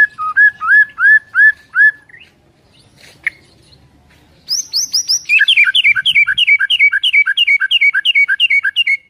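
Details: White-rumped shama (murai) giving full isian fill-in song: a run of six slurred whistles, a pause, then a fast high buzzy burst and about twenty quick repeated rising-falling notes.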